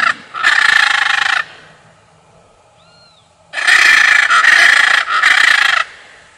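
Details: Blue macaw giving two long harsh grating screeches, each over a second long, separated by a quiet gap with a faint soft whistle.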